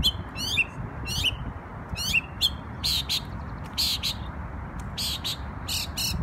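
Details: Bird song recorded in New York on Memorial Day, with raspy, trilled notes falling at the end, followed by harsher broadband burry bursts repeated in pairs, over low background rumble.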